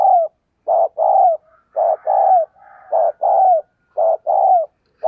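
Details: Spotted dove kept as a decoy bird, cooing vigorously to spur other doves into calling: low, hollow coos in short and drawn-out phrases, repeated about once a second, clean and close with no other sounds.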